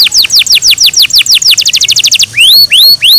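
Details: Canary kept at home, singing in the morning: rapid descending whistled notes speed into a tight trill, followed by three loud rising upslurred whistles.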